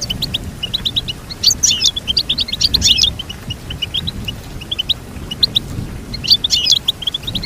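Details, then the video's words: Goldfinch song: strings of short, high chirps repeated several times a second, with denser twittering bursts near 1.5–3 seconds and again around 6.5 seconds, over a low background rumble. "Teach your goldfinch to sing beautiful motivational songs"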